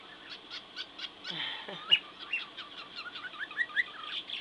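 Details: A 10-month-old male pet cockatiel on his play gym says "hello" right after his owner, in a thin, whistly voice amid bright chirps and squeaks.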